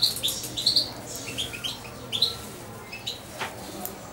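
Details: Roughly two-month-old hand-reared European goldfinch calls with several short, thin high chirps in the first half, followed by softer scattered notes and a quiet room.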